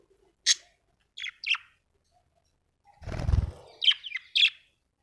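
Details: Happy budgerigar uttering brief high chirps, single and paired, spaced about half a second to a second apart, with a soft low fluttering rumble, possibly wings, in the middle before more quick chirps.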